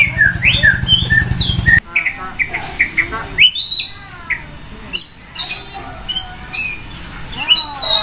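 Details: White-rumped shama (murai batu) sunning by a main road sings loudly with many sound variations: whistled slurs over an engine hum at first, then bright high chirps, falling sweeps and rapid trills in bursts against quieter traffic.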